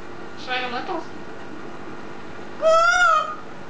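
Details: A green eclectus parrot talking gives two short, voice-like utterances: a soft falling one, then after a pause a louder, nasal, drawn-out sound.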